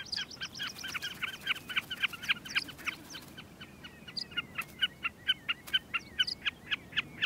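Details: Common snipe calling from the ground in summer on an open glacial plain of volcanic debris, among dense breeding whimbrels: a fast, rhythmic series of sharp, paired chipping notes, about four a second, with faint calls of other birds behind.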